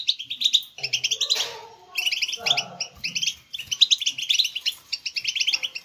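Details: Captive-style goldfinch stimulation singing from European goldfinches: fast tinkling chirps in short bursts separated by brief gaps, with a buzzy rasping note midway and soft low background sounds.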